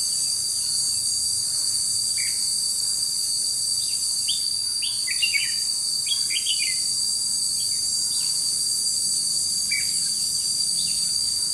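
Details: Decoy red-whiskered bulbul singing at a trapping site on 21 July 2016: clusters of quick, chirpy, slurred phrases around the middle, then sparser notes, all under a constant high-pitched insect buzz.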